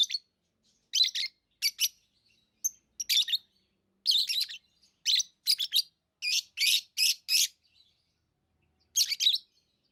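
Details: Lovebird chirping in a lively series of high, harsh notes, bunched in quick runs of three or four, with a pause before a final burst.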